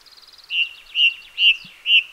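A thrush sings four loud, clear, mid-high notes about every half second, each followed by a sweeping slur, after a brief faint twitter of rapid high notes.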